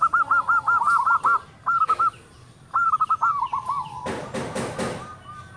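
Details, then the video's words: Singing local zebra dove with a loud, tightly spaced song meant to get other doves answering: a rapid string of eight soft rolling coos, then shorter clipped groups and a drawn tone, with clattering knocks near the end. "PERKUTUT LOKAL SUARA BESAR NADA RAPAT MANTAB, YANG LAIN PASTI NYAUT"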